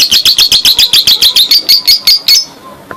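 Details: Lovebird giving a long ngekek, a fast chattering song used as a prompt so that silent lovebirds answer: rapid, loud, evenly spaced harsh chips, about a dozen in two and a half seconds, then fading off.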